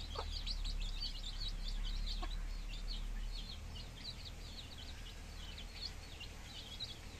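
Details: A brood of 15-day-old baby chickens in a village setting, peeping constantly: thin, high chirps packed closely together, about four per second, with a couple of louder sharp notes near the start and a low rumble beneath.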